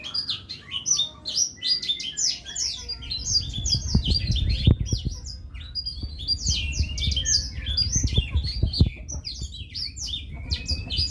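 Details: A long, busy Blackthroat song of rapid high chirps, trills and whistled slurs that runs almost unbroken, over low thuds and rumble.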